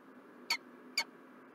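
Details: Two quick, sharp, high-pitched chips about half a second apart from a peregrine falcon in Montreal, Canada, on 4 November 2023, with low hum behind.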